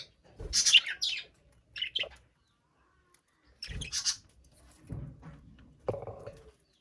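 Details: Caged budgerigar chirping in a few scattered bursts of high squeaky notes with long silent gaps, mixed with low knocking and rustling sounds.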